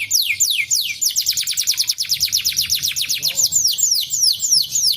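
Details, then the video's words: Song of a canary, meant to stimulate a lazy bird to sing: a few slow descending whistles that speed into a dense, rapid trill of high falling sweeps, then slow again into wider swoops. "Stimulating the noise of the lazy canary"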